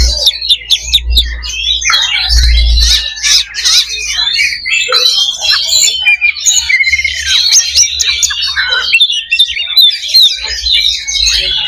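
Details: A chorus of Oriental magpie-robins used to build fighting mentality: a busy jumble of whistles, trills and harsh squawky notes, with loud clicks early on and low thumps underneath.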